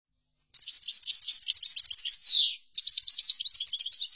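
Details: European goldfinch song in the chordonier style, used for tutoring goldfinches: a fast, high, tinkling twitter of repeated notes ending in a longer buzzy slur, then after a short pause the bright twittering resumes, clean with no background.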